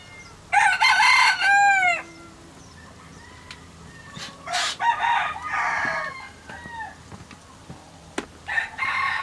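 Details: Chickens on a Hawaii farm with over 200 birds, voices resounding: a rooster's loud crow opens, followed by further crows and clucking calls from other birds, over a constant low hum.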